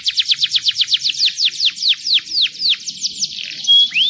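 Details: Canary song played to stimulate young canaries to sing: a fast, loud trill of downward-sweeping whistled notes, about four per second, slowing slightly, then ending in a pure steady whistle and a final sweep.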